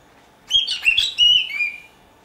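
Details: Pet cockatiel in Dortmund-Huckarde, Germany, whistling a clear phrase of three connected notes, the last drawn out and gently falling, in a quiet room.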